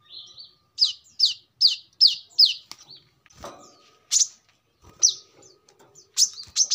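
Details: Brown-throated sunbird song, recorded for use as a lure or as a tutor model for training birds: loud, sharp, downward-sweeping high notes in a quick run of five, then scattered single chips and brief pauses.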